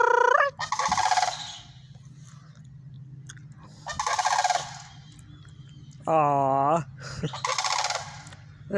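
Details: Sandhill cranes giving rolling rattled calls in a few spaced bursts, with a steady tonal sound near the end and a low background hum.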